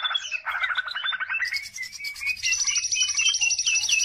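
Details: Lively greater green leafbird lure song, meant to draw out other birds: fast buzzy trills shifting into a high, sustained chatter studded with sliding whistles.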